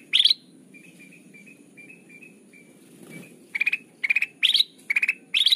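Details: Kutilang emas (bulbul) lure sound for bird trapping: one bright chattering burst, then a pause with faint thin whistled notes, followed by six quick stuttered bursts in fast succession over low background rumble.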